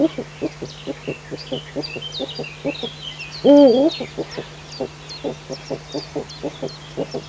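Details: Eurasian eagle-owl at dawn in the Eifel, 05:50 on 19 June 2015: one loud, short, wavering nasal call midway through, surrounded by a regular series of soft, low clicking pulses and high bird chirps in the background.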